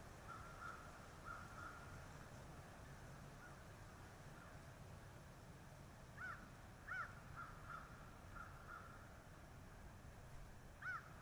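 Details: Bald eagle at its nest in Kisatchie National Forest following the first egg, 09/12/2023: scattered high, thin squealing notes, some in short runs and a few louder sharp peeps, over low steady noise.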